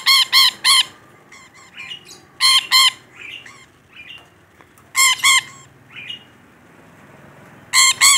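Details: Loud rainbow lorikeet calling: clusters of two or three harsh, rasping squawks separated by pauses, with quieter chattering and chirping notes in between.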